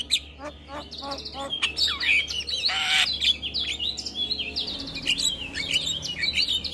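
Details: Morning song of a male Javan myna, full isian style: dense, fast jumble of high chirps, twitters and sliding whistles, with a loud harsh rasp near the middle and overlapping notes throughout.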